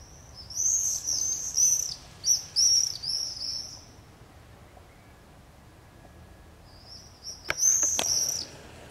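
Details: Common swifts in a street in Beek Ubbergen, the Netherlands, on 22 July 2012, where two pairs nest at a house and join screaming parties: shrill, high trilled screams in bursts over four seconds, a quiet gap, then another burst.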